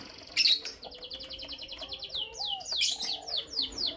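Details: Morning chirping from Creamino and Lutino Opaline lovebirds, opening with a harsh high burst, then a fast even trill of clicky notes and a string of shrill downward-sweeping chirps repeated steadily.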